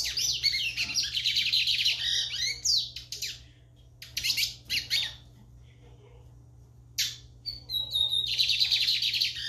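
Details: Lined seedeater singing vigorously: rapid, buzzy, trilled phrases in high-pitched bursts, separated by short pauses and a few isolated sharp notes, over a steady low hum.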